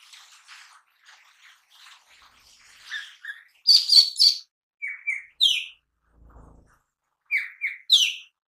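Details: Song of a mini green leafbird used for luring and daily training: soft distant chatter gives way to loud, high chirps and sliding whistles in short bursts, broken by a brief low thud.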